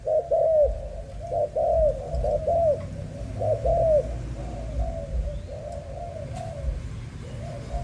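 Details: Young spotted dove of a Malaysian line kept for breeding, cooing in hollow mid-pitched phrases that start loud and fade toward the end, with low rumbling noise throughout.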